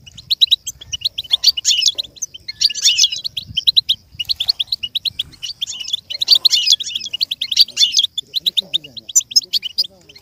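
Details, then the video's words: Goldfinch song intended to stimulate a goldfinch to learn and imitate: sustained lively twittering in repeated dense bursts roughly every second or two, interspersed with rapid chip series, faint low sounds underneath. "With stimulation for the goldfinch to learn and imitate sounds"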